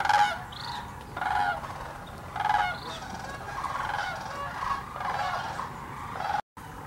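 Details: Sandhill cranes, thousands wintering at Hiwassee Wildlife Refuge in Birchwood, Tennessee, recorded on a GoPro or Canon camera; loud rolling, bugling calls from many birds overlap in bursts about once a second, over a steady crowd chorus.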